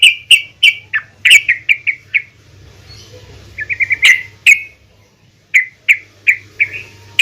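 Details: Female yellow-vented bulbul calling out to others of its kind with short clipped notes in small groups, some tumbling downward and others sharper, separated by brief silences.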